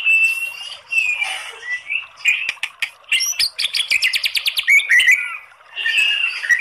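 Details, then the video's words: Murai batu, the white-rumped shama, singing 'kretekan' material with long 'tembakan' phrases meant to draw out other birds' song: whistled phrases followed by a rapid series of sharp, clicking repeated notes, then more sweet whistles. "SUARA KRETEKAN MURAI BATU materi TEMBAKAN panjang ¦ PANCINGAN MURAI ¦ SHAMA BIRD"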